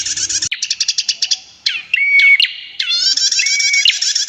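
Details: Female prinia with a clear voice and long trills. A rapid series of sharp ticking notes runs into buzzy rattles, interrupted by a level whistled tone, then a dense high trill.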